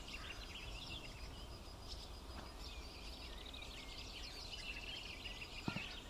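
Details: Swallows feeding their chicks give a fast, continuous run of high twittering chirps over a steady low rumble of background noise.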